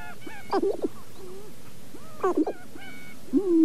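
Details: Sharp-tailed grouse at Namekagon Barrens, northern Wisconsin, Canon 5D Mark II with paired Sennheiser ME67 mics: two brief clusters of low chuckling notes, faint whining tones between, ending in a drawn-out low hooting call.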